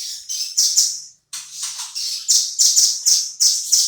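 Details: Velvet-fronted nuthatch in energetic full song, used as tutor song for shamas. It repeats strong, high, buzzy chattering notes about three to four times a second, with one brief pause near the start. No other sounds are heard.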